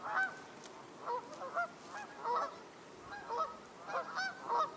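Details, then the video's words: Several Canada geese honking on 20 January 2024 as a gull circles nearby; short nasal, harmonic honks repeat in uneven clusters across the clip, with a constant low background rush. "we've got Canada geese vocalizing. And there's a gull flying around."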